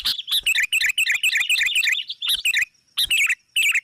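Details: Sooty-headed bulbul lure call used to attract rivals: bursts of rapid, bubbling, liquid chirps, repeated in short runs with brief pauses.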